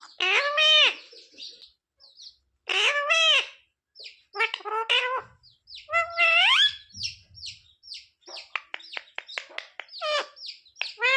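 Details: Pet parrot talking, said to be asking its mummy for roti: loud harmonic, nasal squawk-like phrases with rising and bending tones in bursts, then a run of rapid sharp clicks and short chirps, ending in more drawn-out voiced calls.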